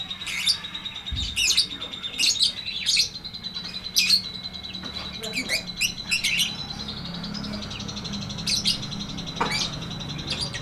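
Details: Lovebird twittering in the 'ngetik ngekek panjang' style meant to coax silent lovebirds into singing: clusters of rapid, high, clicking chirps, then a steadier chattering stretch with occasional sharp notes.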